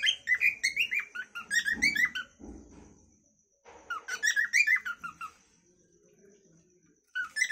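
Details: Cockatiel giving its calling song: fast warbled whistles in two main bouts, with faint low knocking or handling noises and a steady thin high tone between the phrases.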